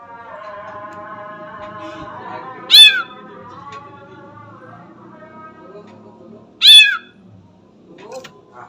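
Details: Sooty-headed bulbul (Pycnonotus aurigaster) imitating a cat: two loud, sharp meow-like calls about four seconds apart, each sliding downward, over a faint steady hum.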